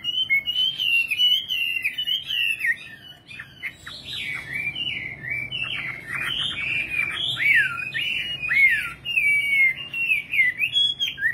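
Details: Nightingale in full song: a long stream of wavy whistles with bursts of fast, twittering notes, sustained without pause.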